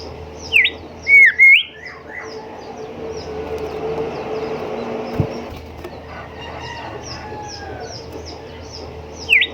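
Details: Golden whistler (kancilan emas, bimoli) song used as a tutor recording for caged songbirds: a few loud, clear whistled notes with sharp upward and downward slurs early on, then a long quiet stretch and one final whistle, over steady background hiss.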